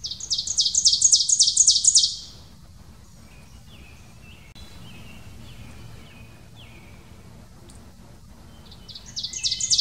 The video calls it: Ovenbird Song